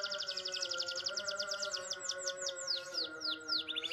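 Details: Green-coloured domestic canary in full rolling song: rapid high buzzy trills that slow into a series of bright descending sweeps, then a fast trill again. Steady instrumental music hums underneath.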